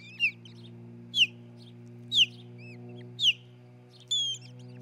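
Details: Osprey on its nest in Charlo, Montana, filmed by a nest camera in June 2018: sharp, high whistles falling in pitch, given about once a second, ending in a longer flat whistle, steady low hum behind.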